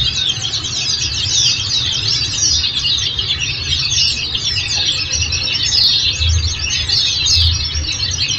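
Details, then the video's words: Bright, nonstop twittering of Oriental white-eye, played to coax caged birds into answering: thick clusters of high chirps and brief trills overlap continuously above a steady low hum. "Masteran||Terapi Kicau Pleci"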